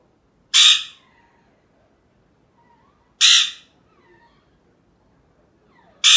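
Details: Male pet Alexandrine parrot at home making sounds: three loud, raspy, screeching squawks, each short and abrupt, repeated roughly every two and a half to three seconds, with faint quieter chatter between.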